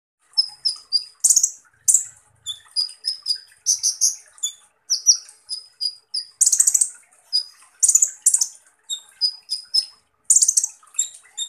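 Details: Van Hasselt's sunbird, called kolibri ninja in East Java, singing harsh 'tembakan kasar' shots: thin high twittering notes interspersed with loud rasping buzzy bursts roughly every one to two seconds, with no other sounds.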